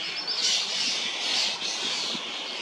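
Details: Young common starling just out of the nestbox being fed sweet cherries by an adult in Hrodna, western Belarus, 2 June 2025, gives harsh, rasping, high-pitched begging calls in a steady churring stream.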